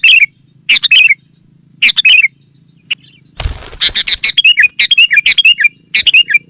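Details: Sooty-headed bulbul calls used to lure wild rivals: short bright chirping phrases with sharp downward slurs, repeated in bursts every second or so, with a brief noisy rustle in the middle.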